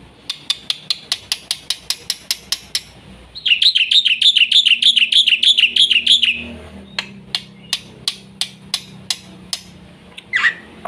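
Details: Black-winged myna in full, fast 'gacor isian' song, used for stimulating and tutoring young mynas: a run of sharp repeated clicks, then a rapid buzzy warbled trill for about three seconds, then more spaced sharp chips.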